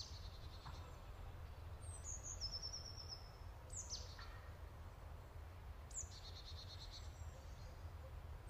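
Black-throated munia giving thin, high-pitched calls: short piping notes and a few quick downward-slurred squeaks, spaced a second or two apart, over a steady low rumble.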